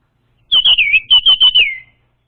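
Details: Singing orange-headed thrush, a lure recording for a young untrained bird: a clean phrase of about seven high whistled notes, the first few warbling and the last sliding down, against near silence.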